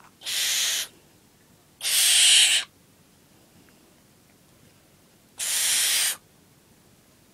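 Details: Nine-week-old barn owl while feeding, giving three harsh, breathy hissing screeches, each under a second long, separated by pauses of one to three seconds; quiet background otherwise.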